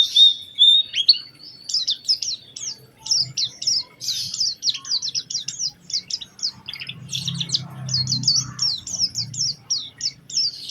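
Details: Oriental white-eye lure song meant to stir other white-eyes into song, opening with a steady thin whistle, then a long series of quick, evenly repeated high chirps and trills, over low rumbling noise.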